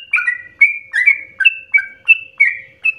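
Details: Intense, nonstop Sooty-headed bulbul singing meant to stimulate and train other birds; bright whistled notes, each dropping in pitch, come roughly three per second over a faint low hum.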